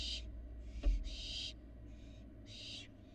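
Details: Florida Barn owl fledglings out of the box, five rasping, breathy screeches in quick succession over three seconds, one sharp knock between the first two.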